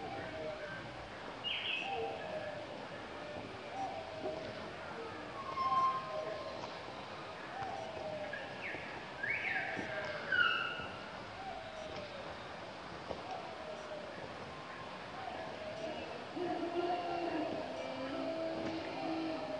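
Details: Common hill myna giving a varied string of loud whistles, gurgles and sharp notes, some almost voice-like, at Buxa Fort National Park, Alipurduar, West Bengal, India, in January 2018.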